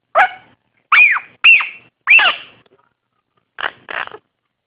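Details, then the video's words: Baby blue-crowned conure kept as a pet, practicing talking: a series of short squeaky notes, several arching up then down, followed after a pause by two brief raspy bursts. "Blue Crowned Conure making crazy noises!"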